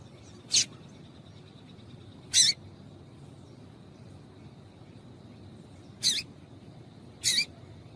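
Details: Four sparse, sharp, very high single chirps spaced well apart from a female white-throated seedeater, whose call is used to stimulate males to sing, over a faint steady background tone.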